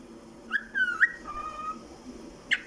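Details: A happy pet cockatiel singing while perched on a chair gives clear whistled notes, one sliding down and one held steady, ending with a short chirp.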